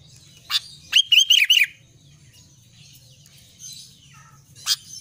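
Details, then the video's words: Albino sooty-headed bulbul singing vigorously: one quick phrase of four bubbly, wavering whistled notes, followed by a low hum and occasional sharp clicks. "kutilang albino gacor"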